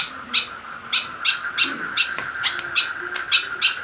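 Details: Kekep babi, or white-breasted woodswallow, caged and provoked into aggression with a plastic bottle; loud rasping chips repeated roughly three per second, unevenly spaced, over a steady shrill hum.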